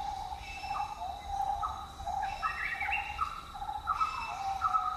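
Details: Buffy fish owl in Khao Yai National Park giving a long, drawn-out mid-pitched tone, with short whistled notes rising and falling above it and a thin, steady high insect hum throughout.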